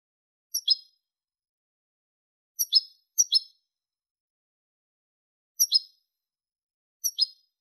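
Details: European goldfinch recorded for its clean song in 2023: five crisp, high, two-part chirps scattered over seven seconds, with two in quick succession, and long silent gaps between them.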